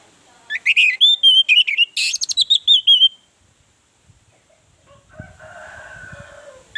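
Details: Orange-headed thrush song used as a lure to get other birds singing: a quick run of loud, varied whistled notes and warbles for about three seconds, then silence and a faint distant rooster crow.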